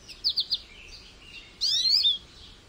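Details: A goldfinch gives three quick, high chirps followed by a brief pause and then a longer, bright, twittering phrase with sliding, liquid notes.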